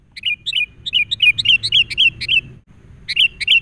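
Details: Sooty-headed bulbul, a wild bird agitated and responding to a lure bird during a trapping session, gives rapid, repeated bright chirps in quick series, a short pause, then more chirps.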